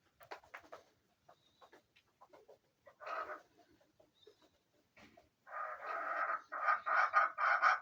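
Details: Scattered soft clucks and a short burst give way to a loud, rhythmic chattering series of harsh notes from a chukar partridge kept for hunting, rising in intensity at the close.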